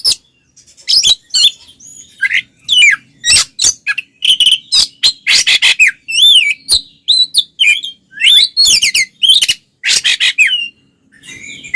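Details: Oriental magpie-robin in loud, fiery fighting song used to provoke other males: rapid varied whistles, sweeping slurs and harsh buzzy bursts in dense phrases with short pauses, bright and high-pitched throughout.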